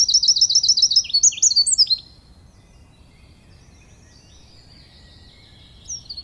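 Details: Wren singing, a short burst of fast, high repeated notes and a trill for about two seconds, then near silence with a faint distant note near the end.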